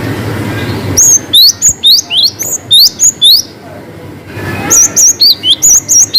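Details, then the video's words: Cinereous tit delivering lively 'wucit panjang' song: a fast string of bright, high whistled chips, about eight in two seconds, a short gap, then another rapid run of similar sharp notes over faint background hum. "GELATIK BATU GACOR WUCIT PANJANG ngalas Variasi"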